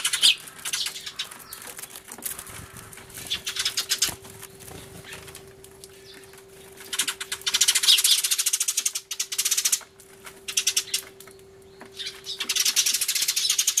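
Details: A crowd of sparrows crying hard, filmed 24 March 2013 on an Everio, with a turtledove among them: waves of intense high chirping that swell and fade, with calmer stretches between the loud bursts.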